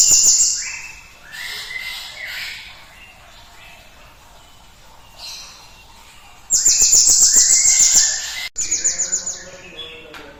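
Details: Cinereous tit song used to stimulate other birds to sing: soft whistled phrases at first, then a loud burst of rapid high, sharp repeated notes, cut off abruptly and resumed as a shorter fast series.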